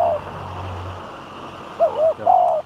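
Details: Spotted dove used as a decoy in Thai-style trap training: a brief coo opens the clip, then a pause, then two short rounded coos and a longer level coo near the end, over a steady low hum.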